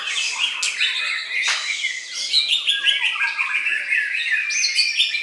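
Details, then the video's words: White-rumped shama singing energetic, high, whistled phrases broken by sharp upward sweeps and harsh chips, with the notes coming in pulsing bursts roughly every half second. "MURAI BATU"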